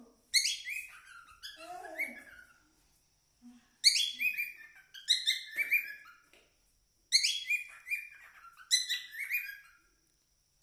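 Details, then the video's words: Cockatiel singing a song in short bursts of sharp chirps and trilled whistles, about six phrases separated by brief silences. "Cocktail Bird original sound"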